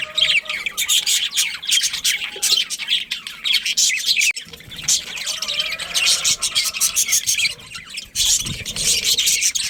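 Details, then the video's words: Chattering budgerigars from a breeding colony, with a pair among them, in a continuous flock chorus of sharp chirps, squeaks and warbled notes, with a faint soft tone in the background. "Cute Budgies Chirping Sounds"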